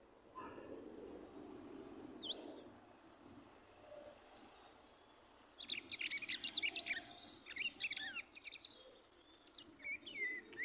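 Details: Female red-cowled cardinal, one year and two months old, singing while turning in her nest and pulling straw to excite her male; after a few scattered notes, a rapid run of bright, high, twittering and sliding phrases fills the second half.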